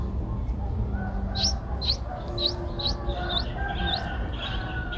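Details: Eight-day-old Streak-eared Bulbul nestlings, whose eyes opened at seven days, give about eight thin, high, upslurred chirps over five seconds over a steady low rumble; Ubon Ratchathani, Thailand, 10 April 2023.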